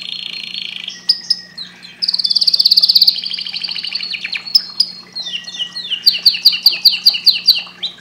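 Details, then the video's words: Canary singing: high, bright rolling trills and rapid repeated chirps, a buzzy rattling burst, then a steady series of sharp rising notes, over a constant low electrical hum. "Canary bird singing"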